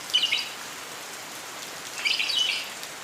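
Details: A lovebird twittering during rain in the morning, two brief scratchy high chatter phrases about two seconds apart, nearly buried in a constant wash of falling rain.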